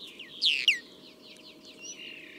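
A Common Linnet gives a quick run of bright twittering notes, with two louder sweeping chirps near the start, then softer warbling over a faint steady hum.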